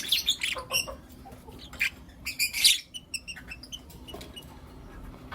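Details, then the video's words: Morning chirping from Blue Opaline and Lutino Opaline lovebirds: a cluster of sharp, shrill chirps early on, a loud squeaky burst mid-way, then sparse thin high notes. "Lovebird Chirping Sounds and Call Sounds From Blue Opaline & Lutino Opaline"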